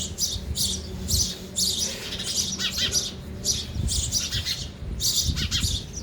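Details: Sparrows at a feeder, feeding: rapid high chirps repeated about once a second in short bursts, some lower notes beneath, with a faint low background rumble.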